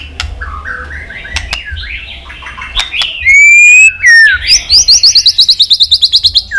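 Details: White-rumped shama singing a chirping, multi-voiced song meant to provoke fighting: soft chattering notes, then loud clear whistles sliding down and up, and a rapid buzzy trill repeating about four times a second at the end.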